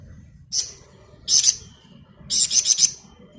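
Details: Malaysian pied fantail singing hard in ngebren style for tutoring songbirds: a lone high chip, a double note, then a quick burst of four sharp notes, over soft low background noise.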